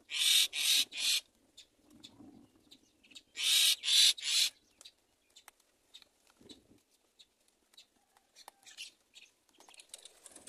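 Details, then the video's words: Baby myna chicks in the nest, waiting for their mother to feed them, give two bursts of three loud, harsh, hissing screeches, then fall to faint ticks and rustles. "Baby myna baby waiting for mother to feed"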